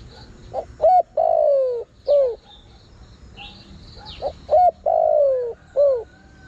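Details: Lure call of a spotted dove used to attract wild birds. Two four-part coo phrases: clipped note, arched note, long falling coo, arched note. A faint high chirp sounds between them over a constant high buzz.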